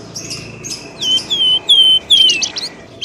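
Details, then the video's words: Bird lure call used to draw birds out of dense bushes: series of clear descending whistles with high harsh notes, then a burst of rapid chattering, over faint background hiss. "SUARA PIKAT BURUNG pelamboyan ribut"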